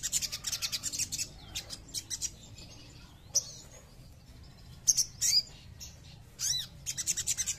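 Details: Crimson sunbird: very high, thin chips and fast buzzy trills in short bursts, with a few quick downslurred notes between them, over a quiet background.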